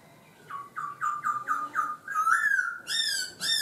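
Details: Laughingthrush varying its voice: a rhythmic series of six descending whistled notes about a quarter second apart, then longer, louder, harmonic-rich rising and falling calls.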